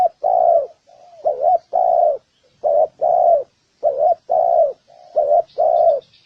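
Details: Repeated spotted dove cooing for provoking birds of both sexes to fight: paired hollow notes, a brief wavering note and a longer level one, about five pairs in steady succession. Faint higher chirping is heard at the end.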